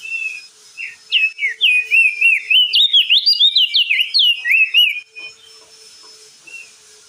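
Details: Crested white-eye pouring out clear ngeplong song to coax a stressed, mute bird into singing: a burst of rapid, rising and dipping whistles for four seconds, fading to a faint single note and soft hum.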